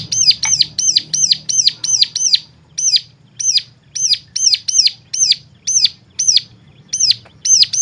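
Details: Bird chirping used as a stimulus for other birds to sing: a long series of bright, hooked high notes, fast at first, then spaced a little wider, roughly two to three per second, over a low hum.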